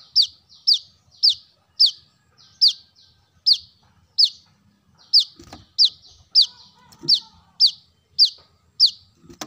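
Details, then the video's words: Brown-throated sunbird, played to attract birds: a long series of about eighteen crisp, high, downward-sliding chips at a quick, slightly uneven pace, with a few faint clicks in a quiet background. "Kolibri kelapa | kolibri manggar | wiceh | suara pancingan burung korlap"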